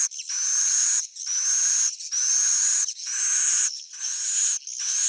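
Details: Roosting call (suara inap) of swiftlets, played to attract them. Bright, high buzzy chattering comes in steady bursts of about a second, separated by short pauses, with a thin whistled tone running through each burst.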